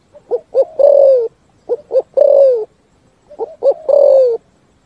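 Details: Cooing song of a spotted dove ringing through forest: three phrases, each two quick short coos followed by one long, hoarse, falling coo, separated by pauses of about a second.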